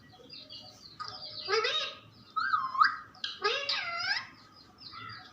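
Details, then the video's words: Parrot talking in a few drawn-out voiced phrases: a sliding, curving call, then a wavering mid-pitched note and a fuller arched syllable, with quiet hum between. "Funny parrot talking video"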